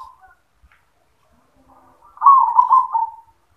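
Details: Single rolling, burry coo from a zebra dove near the end, preceded by a brief faint note and mostly silence.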